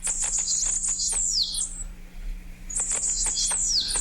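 Bananaquit giving two thin, very high, buzzy and sibilant bursts, each ending in a quick downslurred whistle, about a second apart, over faint clicking static.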